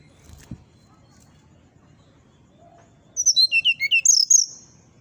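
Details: Morning song of a brown-chested jungle flycatcher: after quiet, a rapid string of about ten short, sharp, high whistled notes, dipping and then climbing, with a faint low hum beneath.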